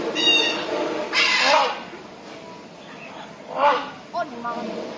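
A rhinoceros hornbill gives loud, harsh, nasal honks, three or four spread over five seconds, each with a brief rising inflection.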